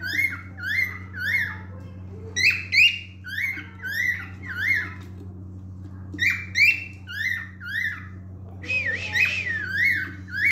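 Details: Singing male cockatiel in a room, delivering clusters of bright whistled upslurred notes in repeated phrases separated by brief gaps, with a constant low hum beneath.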